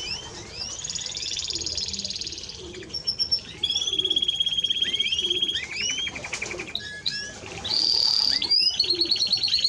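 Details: Timbrado Español canary song built from long rolling trills, a sustained pure tone, rising slurred notes and a loud bright whistle near the end.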